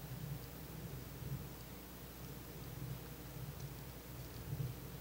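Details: Steady low rumble with a rain-like hiss, like a nighttime storm, and no animal calls.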